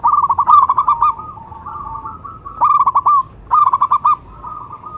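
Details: Zebra dove of local stock, used as a lure call to draw and stimulate other doves. Quick staccato coo bursts end in brief rolling trills, broken by softer drawn-out tones, three bursts in five seconds.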